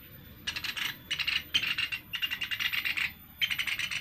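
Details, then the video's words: Sunda pygmy woodpecker call used as a lure: bursts of dry, high rattling trills, each lasting about half a second, separated by brief pauses, over faint background hiss. "Suara Burung caladi, pikat pelatuk beras"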